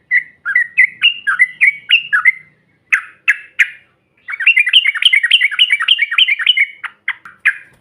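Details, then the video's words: Yellow-vented bulbul, trucukan ombyokan material meant to provoke other birds: bright chirping phrases, then a few sharp single notes, then a long fast run of rippling, up-and-down notes near the end. "TRUCUKAN BAHAN ATAU Ombyokan, Paut BISU Seketika BUNYI NGAMUK Mendengar SUARA INI"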